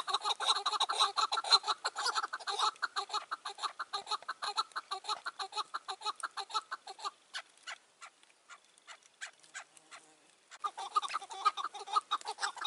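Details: Chukar partridge calling in May 2024 during partridge trapping with a caged decoy bird and wild partridges around: rapid harsh chuk notes for seven seconds, then sparse softer notes and a near pause, then the fast series resumes.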